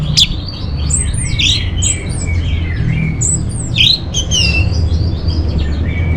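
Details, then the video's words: Orange-headed thrush, recorded as lure and master song for songbirds: moderately loud run of twisting high whistles and chirps, somewhat muffled, with steady low-pitched hum beneath. "Bikin Geger ANIS MERAH Dirumah Pasti Gacor || Pancingan sekaligus Masteran Burung Punglor"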